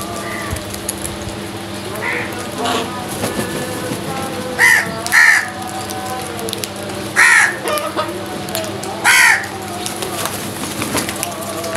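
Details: Crows squabbling over food give scattered harsh caws, a few faint and several loud doubled ones in the middle, with a low hum and other faint noises behind.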